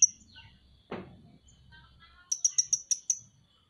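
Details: After a knock and some faint twittering, a Van Hasselt's sunbird (Leptocoma sperata), a bird kept for its song, gives a brisk series of six sharp, very high ticking notes.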